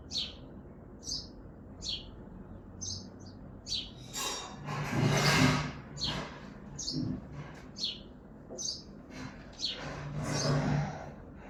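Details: A house sparrow on a balcony in Hazaribagh, India, gives short, bright chirps, repeated roughly once a second. A low hum and a couple of louder rushing noise bursts sit underneath.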